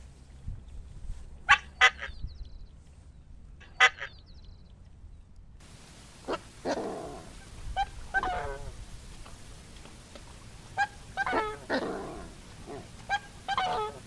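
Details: Coscoroba swan song: loud, harmonic honking calls, at first in spaced pairs with near silence between. Then a busier stretch of repeated honks over steady background hiss.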